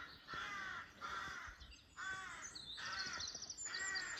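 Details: A carrion crow in woodland with crow nests in the trees near the Gannel Estuary and Crantock during courting season gives five harsh, rasping caws in quick succession, roughly one a second, with faint high chirps from another bird behind.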